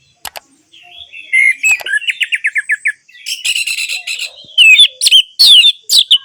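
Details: Orange-headed thrush singing, played to get silent birds singing: varied high phrases with a quick series of about eight sharp downslurred notes, then scratchy buzzy notes and bright whistled slurs.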